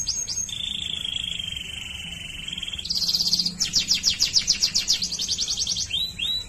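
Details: Waterslager canary song: a few quick slurred notes, a long low steady rolling trill, then a loud rapid high trill and closing curved whistles.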